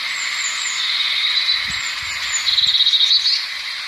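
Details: A blue tit gives thin, high falling notes, then a fast rattling trill lasting about a second, set against a dense, steady hiss.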